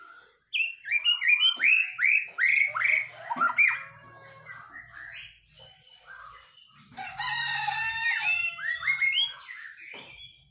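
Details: White-rumped shama kept in a cage, singing energetically while set out in the morning dew: a fast string of slurred, downward-curving whistles, then after a pause a rich, rapid phrase of overlapping ringing notes and chirps.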